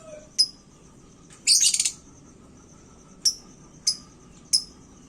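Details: Lovebird in a hanging cage in fired-up song that stirs other birds: single sharp high chirps spaced about half a second to a second apart, around a short burst of rapid chattering.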